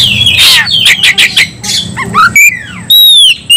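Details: Agitated White-rumped shama ready to fight, giving harsh chattering bursts and then clear, loud whistles that sweep downward, with a low hum in the background.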